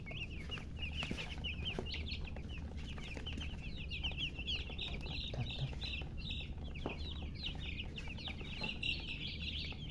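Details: Domestic chicken chicks chirping: a dense, continuous chorus of high, short peeps and rising cheeps overlapping throughout, over a steady low rumble and scattered clicks.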